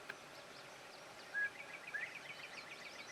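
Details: Northern bobwhite male giving spring song from a treetop: a brief level whistle, then after a short pause a quick upslurred whistle, the two-part phrase fairly soft over faint chirping of other birds.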